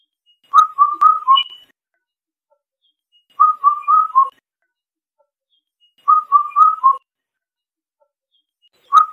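Indian cuckoo repeating a clear four-note whistled phrase, the last note dropping lower, about every two and a half seconds against a quiet background.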